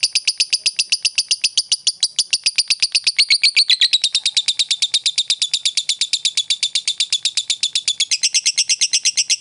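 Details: Lovebird chattering, or ngekek, played to make a rival bird start chattering too: rapid repeated shrill chips in a sustained stream, pitch dipping slightly midway, no pause.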